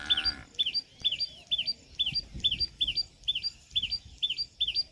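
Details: Loud, cheerful repeated chee-up call of a common tailorbird, used to keep in contact or warn of danger: ten crisp, high, twisting notes in quick even succession, with a brief tonal sound at the very start.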